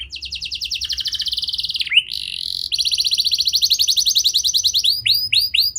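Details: Canary singing as a lure for young birds that sing poorly: a steady high rapid trill, a sharp dip, then a long buzzing roll that turns into separate ringing whistled notes.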